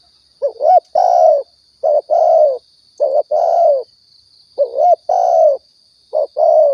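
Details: Spotted dove (tekukur) cooing, used as a lure for trapping and hunting in Riau: a short rising note followed by a longer, falling coo, repeated in phrases about every two seconds, with a steady high electronic whine behind.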